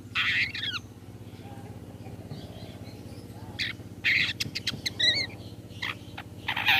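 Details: Long-tailed shrike giving a 'toet toet' lure call meant to make other shrikes answer: harsh, scratchy bursts with falling tonal notes, then a quiet gap before more rasping clicks and short buzzy notes, over a steady low hum.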